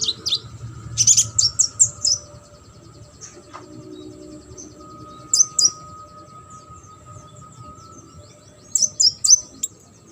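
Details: Brown-throated sunbird, a training recording for competition birds. Short bursts of thin, high chirps and twitters break out three times, separated by several seconds of quiet background hum.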